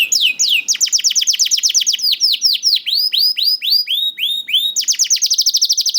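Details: Young canary (kenari paud) song meant to spur hesitant canaries to sing: fast rolling trill of sharp descending notes, then slower looping whistled syllables, ending in another rapid high trill.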